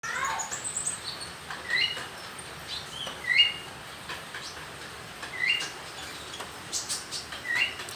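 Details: Young konin bird learning to sing: thin, high chirps and short rising notes, given every second or two in loose, irregular bursts, with faint background hiss.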